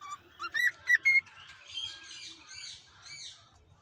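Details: A pet cockatiel (Nymphicus hollandicus), recorded unedited, gives a quick run of bright, whistled chirps, then softer warbling notes.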